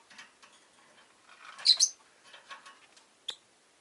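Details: Bright, shrill chirping from a rosy-faced lovebird: a quick burst of squeaky high notes near the middle, a lone sharp chip after it, and soft clicks between, with street noise from vehicles and bicycles stated to be present.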